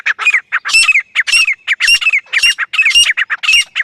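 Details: Desi grey francolin in full voice: loud, grating, repeated squawks in pairs and triplets, each with a shrill rising ring. Delivery is rapid and continuous, with only tiny gaps.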